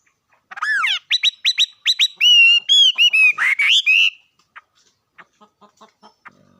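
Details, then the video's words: Bird singing a fast run of loud, clear whistled notes, first sweeping down then repeated on a steady high pitch, ending in a buzzy flourish near four seconds, followed by soft faint ticks. "Coob quaj zoo heev li."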